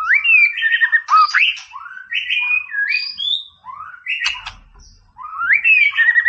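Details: Vigorous white-rumped shama song used to wind up a rival: bright rising whistles and quick slurred phrases, a harsh chattering burst near the middle, and a loud rising whistle sequence at the close.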